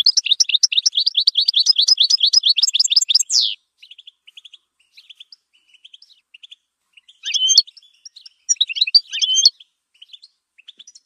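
A goldfinch pours out a fast, tinkling run of high twittering notes for about three seconds, then adds scattered chips and a few bright buzzy phrases.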